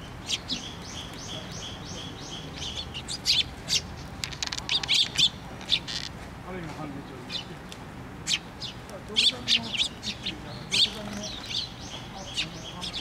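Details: Sparrows gathering at a feeder on a post at a Tenmangu shrine, 24 June 2023: bursts of bright, high chirps from several birds, clustered around three to five seconds and again near nine to eleven seconds, over a low steady hum.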